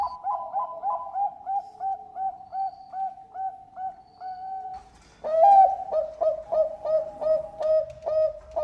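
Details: Melodious song of a Bangkok zebra dove: a long run of regular soft coos with hooked endings, then a louder, deeper burst of rhythmic bubbling coos repeated roughly twice a second, over a low rumble.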